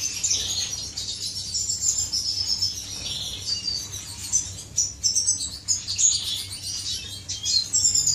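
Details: Finches courting in an aviary, with a steady high chirping chorus, fine rapid trills and louder bursts of squeaky notes in the second half.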